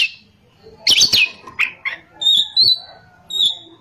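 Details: Oriental magpie-robin singing ngerol, nembak style: a loud cluster of sharp, rapidly modulated notes, a few chips, then clear level whistles spaced about half a second apart.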